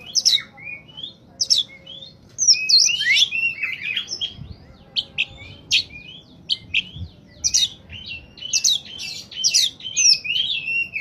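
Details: Oriental magpie-robin (kacer) in peak singing form, a lure for catching wild birds: rich varied whistles and rapid scratchy trills pour out almost without pause, with faint low background hum.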